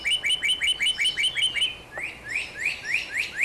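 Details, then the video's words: Northern cardinal singing: a quick run of clear whistled notes slurring downward, about six per second, then a slower series of rising upslurred whistles. "Chant du Cardinal Northern Cardinal - Sounds"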